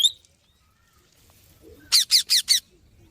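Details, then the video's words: Parrot giving four fast, harsh, high squawks in a tight row after a near-silent pause. "Parrot Natural Sounds Compilation"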